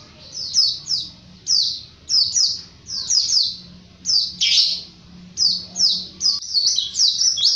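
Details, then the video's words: Energetic 'ngalas' song of a white-eye, used as a master recording: clusters of sharp, high, descending chirps, sometimes doubled or tripled, with one louder buzzier burst midway and a steady low hum behind. "SUARA BURUNG PLECI GACOR NGALAS"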